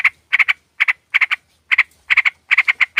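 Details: Female sooty-headed bulbul calling a male as a lure: grating chatter in tight clusters of two or three rasping notes, about every half second, brisk and uneven.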